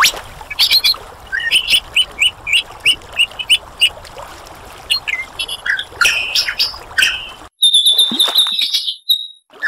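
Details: A lyrebird repeats clipped high notes in a quick rhythm, adds harsh squawking calls, then after a sudden quiet gap gives a high, thin, drawn-out whistle.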